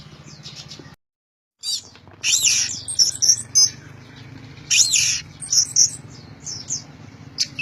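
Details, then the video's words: Orange-headed thrush singing loudly, in the style called gacor teler: bursts of high, bright, warbled phrases that come and go with short gaps, over a steady low hum. "Anis Merah Gacor Teler Suara Keras"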